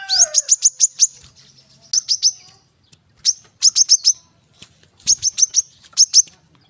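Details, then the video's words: Brown-throated sunbird in rapid, dense song used to get quiet birds singing: bursts of three to six sharp, high, clipped notes in quick succession, repeated with short pauses, with a brief lower warble at the start. "Kolibri kelapa | manggar | suara untuk burung malas bunyi | suara korlap gacor tembakan rapat"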